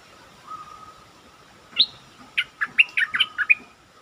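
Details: Caged stripe-throated bulbul, kept as a lure, opens with a rising upslurred note, then rattles off a quick string of lively warbled notes, over a constant low hum and hiss.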